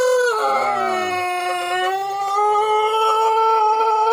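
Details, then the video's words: Pelung chickens in Indonesia crowing against each other in a contest: a long, drawn-out, tonal, howl-like crow held steady for over four seconds with rich harmonics, opening with a lower wavering note. "gila ayam pelung ,sampai adu suara"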